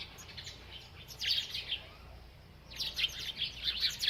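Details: A bird chirping while eating: two bursts of quick, high chirps and twitters, the first around one second in, the second from under three seconds to the end, with a quiet pause between them.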